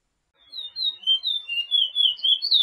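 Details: Training song of a chestnut-bellied seed finch, the curio from Suriname in the 'pije pije' style: a fast run of high, warbling whistled notes, rising and falling, rolling into a louder sweeping finish.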